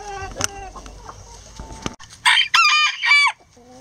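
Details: Rooster crowing in a chicken coop while hens eat eggs; a loud, harsh, segmented crow of about one second rises and breaks into several strained syllables, following softer low clucking and pecking from the hens.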